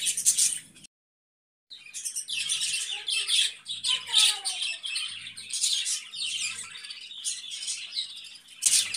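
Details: Budgerigars chattering in a steady stream of high chirps, squawks and scratchy warbles, with a brief silence near the start and a few lower whistled notes in the middle.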